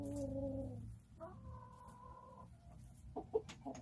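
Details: Backyard chickens enjoying a calm day give drawn-out tonal calls, a steady nasal note followed by a second higher, longer one, then a few short clucks, over a low background hum.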